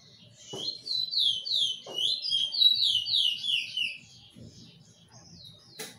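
A bullfinch sings a fast, run-together series of high, downslurred whistled notes for about four seconds, with a few soft knocks and a low background hum.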